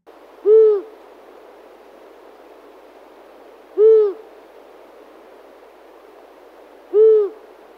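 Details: A Long-eared Owl gives three deep, soft hoots, each short and evenly spaced about three seconds apart, over a faint steady hiss; a very low-pitched sound, perhaps hard to hear from afar at night.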